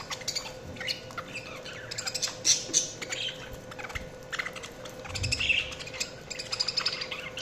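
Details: Several budgies keep up a continuous warbling chatter, quick high chirps and squeaks overlapping almost without pause, a few sharper notes standing out, and a constant faint hum underneath.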